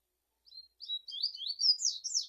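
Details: Double-collared seedeater in full song: a thin opening whistle, then an accelerating stream of high, zigzagging, chattering notes that grows louder to the end.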